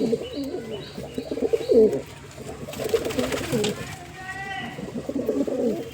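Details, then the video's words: Several pigeons coo in low, throaty, rolling notes that overlap, with a few higher chirps from small birds in the background. "Amazing Pigeon Sound 🕊️ | Relaxing Pigeon Voice & Beautiful Bird Sounds"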